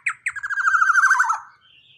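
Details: Loud young black-naped oriole of large build giving two sharp opening notes, then a fast, nasal, rattling trill lasting about a second that drops slightly in pitch before fading.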